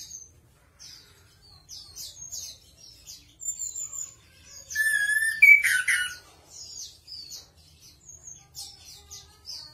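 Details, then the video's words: Anis kembang, the chestnut-capped thrush, singing prolifically: scattered high, sharp chips and thin whistles throughout, with one loud, rich warbled phrase in the middle before the thin notes resume. "Anis Kembang Gacor | 栗頂地鶇 | Chestnut-capped Thrush"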